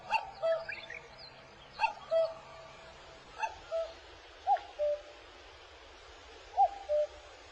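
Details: Common cuckoo gives five clear two-note cuck-oo calls, second note lower, spaced one to two seconds apart over soft hiss; a parent calling from treetops near a crow-tit nest it parasitized, seemingly teaching its chick its song, in midsummer in Korea.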